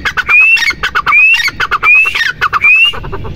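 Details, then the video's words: Grey francolin, known locally as teetar, giving four loud phrases. Each phrase is a clear upward-sliding whistle, then a burst of rough, stuttering notes, repeated at a quick, even pace. "Teetar | Titer | Teetar ki awaaz | teetar ki Awaaz Madi | teetar ki awaz | Partridge sound"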